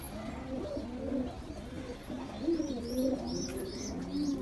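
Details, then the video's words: Young pigeon, angry while under attack, giving a steady run of low, wavering, moaning notes that rise and fall and overlap almost without pause, with faint higher squeaks above. "Baby pigeon angry || Attack on baby pigeon || Baby pigeon sound effect"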